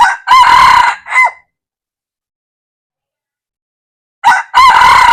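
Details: Crowing red junglefowl, recorded 1 February 2024. The end of a harsh crow, with its long middle and short falling last note, is followed by about three seconds of silence, then another crow begins with a short note and a long, hoarse drawn-out part.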